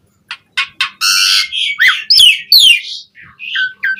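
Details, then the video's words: Asian pied starling singing to rouse caged birds: clicks and sharp notes lead into a long harsh nasal rasp, then squealing rising and falling whistles and scratchy chatter. "Suara Burung JALAK SUREN GACOR Full Isian Pancingan PENDONGKRAK Emosi Burung Jalak Agar Cepat Gacor"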